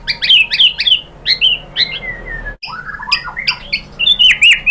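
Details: Lure song of a white-rumped shama in Indonesia, intended to make other shamas sing: quick varied whistles and slurs, a brief silent cut, then a renewed burst of bright, up-and-down whistled phrases.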